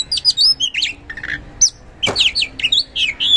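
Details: Kacer (oriental magpie-robin) singing loudly as a lure: quick jumbled whistles, chips and harsh notes packed closely, with one sharp broadband crack midway.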